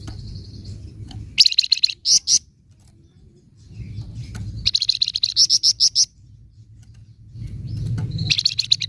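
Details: 'Nyecret' chatter of a flamboyan bird for provoking other birds: a thin high note, then three bouts of fast, harsh rattling chirps, the middle one longest, with low humming noise between bursts.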